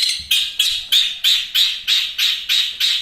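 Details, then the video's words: Long-tailed shrike in energetic song for songbird tutoring: harsh, rasping notes repeated at a steady, even beat of about three per second. "BURUNG CENDET MATERI TERBARU,SUPER GACOR+SPEED RAPET"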